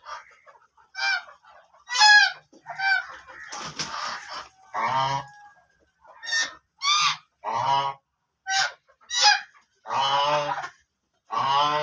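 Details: Several black ducks trading short, harsh, honking quacks, mostly single or paired notes repeated irregularly about every half second to a second, with a noisy rasping burst partway through.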